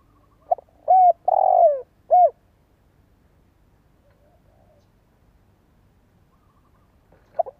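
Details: Spotted dove decoy singer, played for young birds to pick up cooing quickly. One phrase of short coo, long falling coo and short closing coo, then a long near-silent stretch ending in a brief note.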